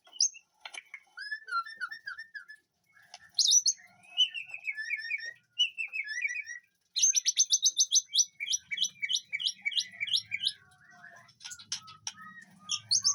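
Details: Caged white-rumped shama in an aviary in a home's back garden. It delivers a varied song of slurred whistles, falling notes and quick buzzy runs, with a faint low hum in the background.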